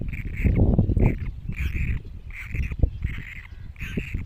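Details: Young great cormorants call repeatedly in short, rasping bursts, roughly every half second, against constant low rumbling and thumping noise.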